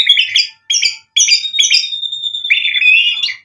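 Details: White-rumped shama lure singing: bursts of buzzy, high notes separated by short gaps, then a long, thin, steady whistle ending in a rising flourish.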